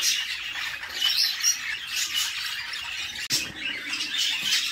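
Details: Budgie chicks begging while their mother feeds them inside a nest box, producing constant raspy high squawks and chatter, with a brief break and a soft knock partway through.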